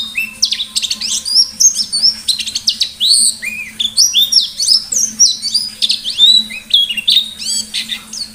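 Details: Ngalas-style song from a pleci white-eye, used as a lure: continuous high, rapid twitters and downslurred chips in quick succession, with sharp piercing notes scattered through and a faint steady hum below.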